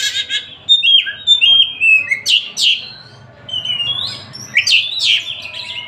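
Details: Oriental magpie-robin (Tasik kacer) singing freely: clear whistled phrases, some sliding upward, then bright ringing notes, with short pauses between bursts.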